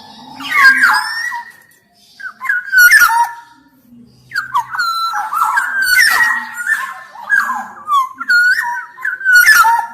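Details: Black-naped oriole (kepodang emas) in lively, persistent song used as a model and lure for lazy orioles: fluid, looping whistled phrases with nasal, rasping overtones follow each other closely with brief pauses.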